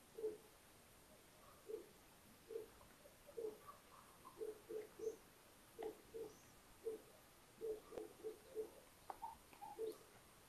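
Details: Four newly hatched little owl owlets with adults in a nest under a house attic at Tiszalök, Hungary, May 2022; about twenty short, low, even notes sounded one by one and in quick pairs and triplets over ten seconds, with faint room noise.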